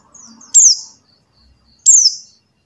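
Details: White-eye of the buxtoni form giving its lure call, meant to prompt silent birds to sing: two piercing, down-slurred high notes about 1.3 seconds apart, with faint soft chatter before them.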